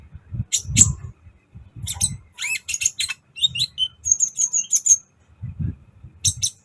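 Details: Sunbird training recording with energetic singing: scattered high, scratchy chirp bursts and a fast series of thin, piercing notes, mixed with soft low tapping and rustling.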